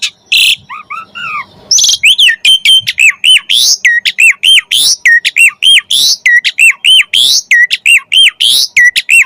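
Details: Jalak suren singing gacor with full isian to encourage other birds to sing; after a few harsh notes, a long steady series of arched whistles repeated roughly every half second.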